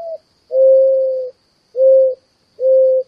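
A Mourning Dove gives soft, low, hollow coos: one long drawn-out note, then two shorter ones on the same steady pitch.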